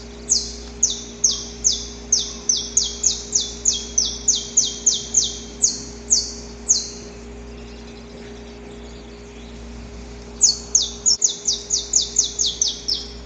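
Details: Saffron finch in nature repeating a long series of rasping, downward-sweeping high notes at a brisk, steady pace, falling silent for a few seconds, then resuming with a quicker burst of the same notes.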